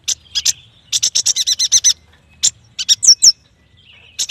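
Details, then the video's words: Yuhina (prenjak batu) in busy song: short bursts of harsh buzzy notes in rapid series, a pair of bright rising whistles, then more chattering notes. "Suara burung yuhina paling istimewah cocok untuk masteran, terapi, pancingan dan pikat"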